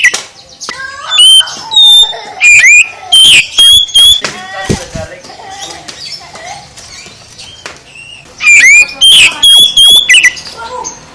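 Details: Whistled, sweeping phrases from an oriental magpie-robin come in two loud clusters, with a quieter stretch of soft chirps and faint background noise between them.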